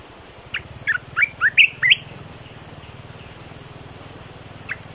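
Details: Red-whiskered bulbul kept as a cage bird singing one short phrase of about six bright, rising warbled notes, then falling silent apart from a single later note, over a steady low mechanical hum.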